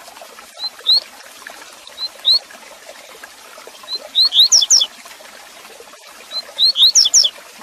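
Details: Double-collared seedeater (coleiro) singing the tui-tui repicador training song: thin rising whistles, then a quick burst of sharp, ringing notes.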